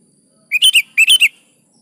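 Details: Sooty-headed bulbul singing briskly, a track for prompting lazy caged birds to sing: two quick groups of three chortling, slurred notes in close succession.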